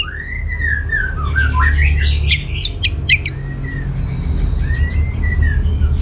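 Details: Orange-headed thrush singing as a lure for other birds: long slurred whistles and rising-falling phrases, a cluster of sharp high clicks and chirps midway, low background hum throughout.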